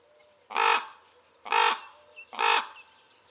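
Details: Three loud, grating caws about a second apart from Common ravens recorded in wild acacia woodland, with faint high chirps of other birds behind.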